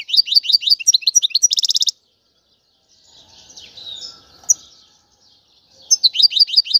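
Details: European goldfinch twitter, described as mating and readiness calls that rouse males to sing: fast high ringing twittering trills at the start and end, separated by a softer muffled rustling stretch.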